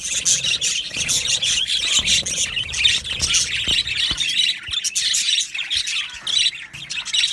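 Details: Australian budgie colony in an aviary: continuous high chirping and chattering warbles from many birds, with occasional sharper tweets standing out from the steady babble.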